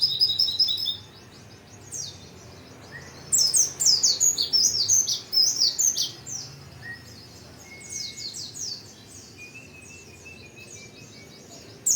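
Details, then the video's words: White-eye singing in short bursts of high, thin, rapid twittering notes, loud phrases around one, three to five and eight to ten seconds, separated by quiet pauses over a low background hiss. "pleci gacor mp3"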